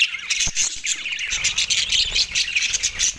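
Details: Australian budgies chirping while eating soft food, recorded December 4, 2023; dense, rapid high chatter and warbling twitters from several birds overlap continuously, with a few sharp clicks.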